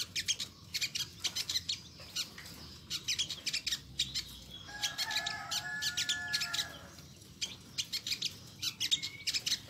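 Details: Olive-backed sunbird calling its distinctive 'nyecret': bursts of sharp, high chirps, with drawn-out, level, tonal notes from another bird rising behind them for a couple of seconds midway, and a quiet low hum.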